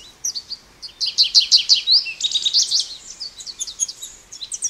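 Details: Bright, high warbling from an American goldfinch: after a brief quiet start, a sustained string of quick chattering notes and rising slurs fills the rest of the song.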